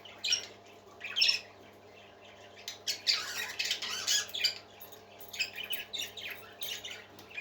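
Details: Parakeets singing: harsh, scratchy squawks and raspy chattering bursts come in irregular clusters, louder around the middle, over a low steady hum.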